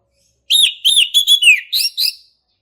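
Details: Brief ngeplong phrase from a male orange-headed thrush: seven rapid, loud whistled notes, some dipping and sliding downward, ending on two higher clipped whistles.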